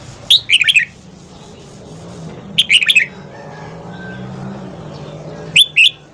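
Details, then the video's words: Red-whiskered bulbul morning song for voice training and triggering other bulbuls to sing: three quick bubbly phrases of four or five bright chirps, repeated at intervals of about two and a half seconds, with a low steady hum. "Luyện giọng chào mào hót sáng KÍCH BỔI SÁNG"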